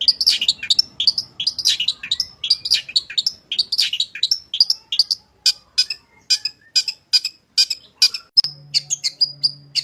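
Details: Long-tailed shrike in full, lively song used as a training recording for other shrikes: fast, varied, high chirps and sweeping whistles in tight bursts, then sharper separate notes toward the end, with a low hum late on.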